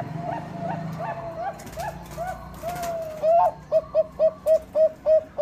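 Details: Bangkok-type zebra dove song as a lure for rival birds: soft, distant coos at first, then from the middle a loud, close bird gives a drawn-out rising coo followed by six short, evenly spaced notes.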